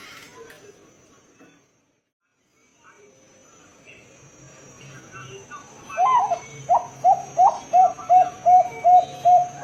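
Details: Zebra dove (perkutut) of the Bangkok type singing in the drawn-out 'ngerot' long-voice style. After about six seconds of quiet background, a clear series of evenly spaced, mid-pitched coos begins and repeats steadily to the end.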